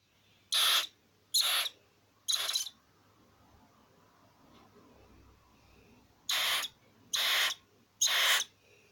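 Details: Captive barn owl, grumpy while being tickled during early glove training, gives six harsh, breathy hisses in two groups of three, each about half a second long, with a quiet pause between the groups.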